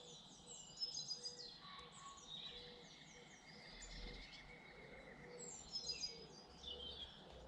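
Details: British garden birds in birdsong: high twittering and thin whistled phrases from several small birds, rapid chirps overlapping, with a low hum and faint background noise.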